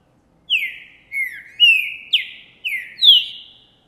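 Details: Green-winged saltator of the Trinca Ferro Boi type, a male singing hard in January 2024 after seeing a female; six loud whistled phrases, each a sharp start sliding down, pitch stepping up toward the end.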